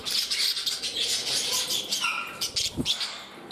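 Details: Parrots kept indoors, settling in at a new home; dense high-pitched chattering chirps and thin whistles run continuously, with one short falling note near the end.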